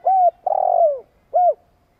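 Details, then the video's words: Spotted dove giving a long coo meant to stir other doves into cooing: three low, hooting notes, the middle one drawn out and sliding downward, the outer two short and clipped, with no other sounds. "Chim cu gáy tiếng gù dài kích bổi nge là gáy"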